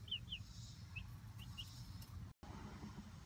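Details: About a month old, Light Brahma chicks enjoy outdoor time in their coop run, uttering a few crisp, high, descending peeps, some in pairs, before a brief dropout in the sound.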